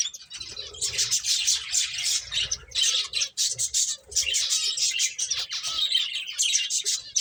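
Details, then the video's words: Several finches chirp at once, a busy stream of high, thin tweets and short buzzy notes with hardly a pause, plus faint low rustling and fluttering. "Cute Birds Chirping Sounds | Beautiful Finches Playing"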